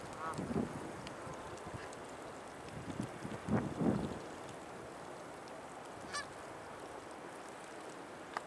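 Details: Canada geese searching for food in Colonel Samuel Smith Park on February 13, 2020; a few scattered nasal honks come near the start and again around the middle, with a thin squeak later, over steady background noise.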